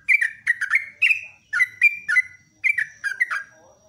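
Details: Lively morning song of a yellow-vented bulbul in rapid-fire style, kept as a master recording for training birds: clear downslurred whistles in quick clusters separated by brief gaps.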